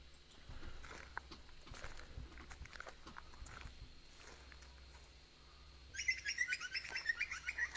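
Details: A friarbird, possibly a noisy friarbird, in a March dawn chorus gives a burst of loud, harsh, rapidly repeated notes near the end, after several seconds of rustling and clicking noise with faint bird chatter.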